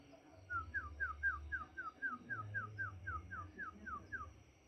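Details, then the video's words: White-rumped shama singing a fast run of about fifteen identical downslurred whistled notes, about four per second, over a faint low hum. "Ocehan burung morae mini gacor"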